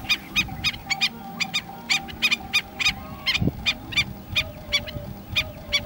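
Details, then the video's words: Killdeer on the Peruvian coast at Piura: sharp, high, clipped notes with bright overtones, given in a quick, uneven series of about three per second over a low steady hum. "Killder - Piura."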